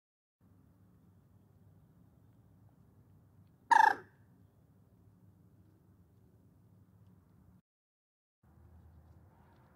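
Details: Common moorhen (Gallinula chloropus): a single abrupt, harsh, croaking note bursts out midway over a steady low rumbling background hum that briefly drops out near the end.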